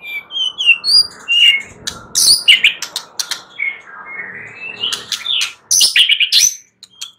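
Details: White-rumped shama singing at night, giving high chirps and twittering notes broken by many sharp clicks and crackles, with a steady low background hiss.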